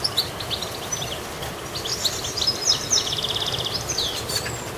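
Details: Active goldfinch gives quick, high tinkling chirps, then a fast buzzy trill near the middle, followed by more sharp twitters, all over a steady hiss.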